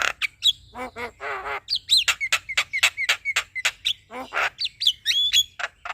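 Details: Male black-winged myna singing to excite a reluctant myna: a dense jumble of harsh nasal rasps, sharp clicks and high whistled slurs delivered at about four per second, ending in a rising whistle.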